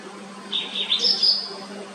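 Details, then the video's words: White-browed wagtail singing, with clear, rhythmic chirps and trills: a single short phrase of bright whistled notes climbing higher, over a constant low hum. "The white browed wagtail | . Its clear, rhythmic chirps and trills create a uplifting atmosphere,"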